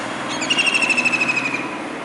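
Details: Single rattling trill from a kingfisher sitting on a rooftop dish antenna in Surat, Gujarat, India, on a rainy July 2019 day, calling in search of another; fast, even pulses about a second long, easing slightly downward, over faint background hiss.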